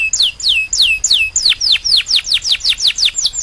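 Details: Singing canary delivering a quick series of clear whistled notes, each sweeping sharply downward, repeated about four times a second and speeding slightly toward the end.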